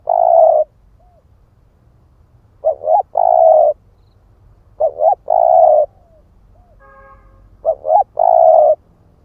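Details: Spotted dove, 'ức chẻ' type, cooing as a lure for wild doves: repeated phrases of a double hoot and a long mellow coo about every two and a half seconds, with a faint soft whistle between.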